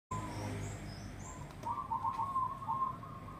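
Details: Crossbred zebra dove singing a melodious rhythmic song: a rippling, purring coo of quick pulsed notes held at one mid pitch for about a second and a half, over low rumbling background noise.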